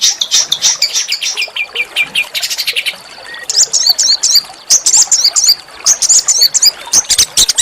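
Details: Master song from a small songbird for provoking oriental magpie-robins, harsh and rapid: fast sharp chatter and clipped high notes arrive in bursts separated by short pauses.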